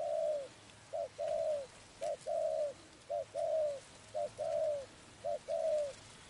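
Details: Spotted dove during bird trapping, repeating a clear two-part phrase, a quick coo followed by a longer falling coo, about six phrases evenly spaced over six seconds.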